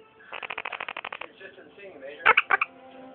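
A Quaker parrot gives a rapid burst of rattling pulses, then a few loud, harsh squawks.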